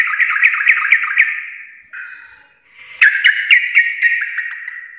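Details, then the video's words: Sooty-headed bulbul singing gacor, 'full garuda' style: rapid bubbling repeated notes, a short wavering whistled pause, then another fast, loud run of bright, sharply repeated notes. "trucukan gacor full Garuda parah"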